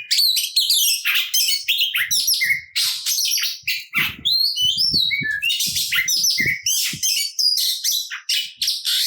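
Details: Oriental magpie-robin singing a loaded, combative song intended to anger other magpie-robins and boost their fighting spirit. Harsh chattering bursts mix with fast twittering whistles, accompanied by soft low tapping sounds.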